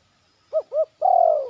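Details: A zebra dove in training calls from a yard with a quick pair of short arched coos, then one drawn-out, faintly pulsing coo that sags in pitch at its end; no other sounds.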